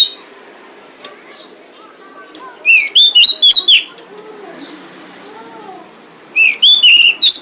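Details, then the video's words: A female pied bushchat calls to draw in males. Quiet, mixed background chirps open the recording, then a rapid burst of five piercing whistled notes follows, and a similar burst comes about three seconds later. "Suara Decu Betina Pemikat Jantan"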